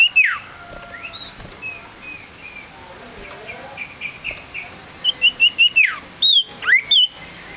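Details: Tame male common iora, a small yellow bird, calls with scattered thin whistles and a falling slur, then a run of short clear whistled notes and sharp upslurred notes near the end over a quiet background hiss.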